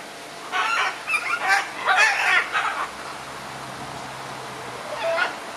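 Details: Red-and-green macaws in exchange: a rapid string of harsh, chattering squawks for about two seconds, then quiet and a single short rasp at the end.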